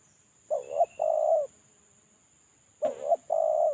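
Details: Spotted dove lure call from a bird in moult: a short uneven coo and a longer steady coo, repeated once after about two seconds, with a brief click at the second phrase and a thin high hum behind.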